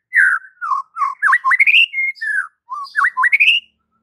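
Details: White-rumped shama masteran training song: varied rich whistles, dipping and rising loops and a long level note, in a continuous lively phrase on a quiet background.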